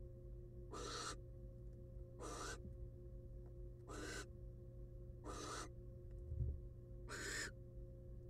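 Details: Five harsh, hissing screeches from a wild female barn owl, roughly every one and a half seconds, as she settles back on her eggs in a monitored nest box after a rat meal. A soft knock is heard and a steady hum runs underneath.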